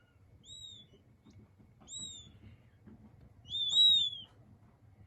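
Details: King quail chicks peeping: thin, high whistled notes that arch slightly downward, given singly or in quick pairs about every one and a half seconds, with a louder overlapping burst near the end over a faint low background rumble.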